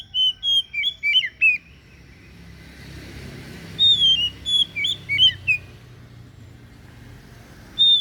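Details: Oriental magpie-robin of the kind called kacer daput singing: bursts of clear whistled notes, some rising and some falling, delivered in a quick phrase of about a second and a half, then a pause, then a second similar phrase, with a soft background hum.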